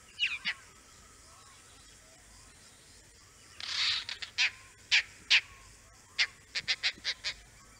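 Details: Oriental dollarbird in the Andaman Islands giving harsh, rasping croaks, one longer grating burst midway, then a quick run of five short calls near the end, against a quiet background.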